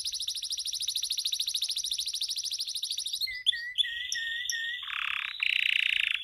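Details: A male Belgian canary sings a fast, rolling trill for three seconds, then switches to bright whistled notes, rising slurs and a buzzy, rattling phrase.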